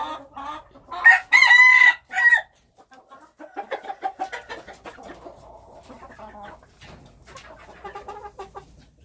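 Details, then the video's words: Wild chicken crows loudly for over a second with a clear sustained tone, then a long series of quieter, irregular clucks. "Noob qaib qus Qaib dib qua zoo - wild chickens"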